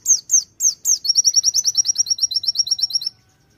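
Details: Four loud, separate downslurred notes lead into a long, quick, even trill of sweet high notes lasting about two seconds, then an abrupt stop. A konin delivering white-eye phrases.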